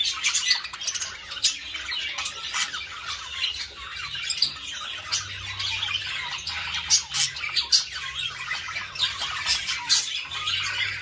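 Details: A group of budgerigars chatters continuously while being encouraged to mate. The sound is a busy, overlapping warble of harsh squawks, clicks and sharp chirps, and a faint low hum runs underneath.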